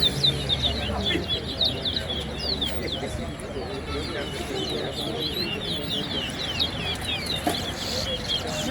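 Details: Chestnut-bellied seed finches (towa towa) in a B class bird-singing competition at Lusignan, Guyana, sing rapid, sweet twittering phrases of high chirps and slurred whistles, nearly nonstop, over a murmuring crowd and voices.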